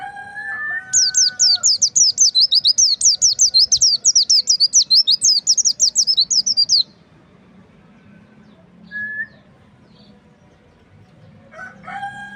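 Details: White-eye, known locally as pleci or kacamata bird, delivering a long, rapid twittering song of high, sharply descending notes repeated several times per second for about six seconds, with lower whistled calls of another bird before and after.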